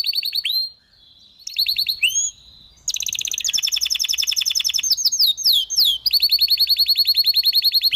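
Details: A domestic canary sings a bright, high-pitched song of rapid rolling trills and chirps, about three to four notes a second, broken by brief pauses.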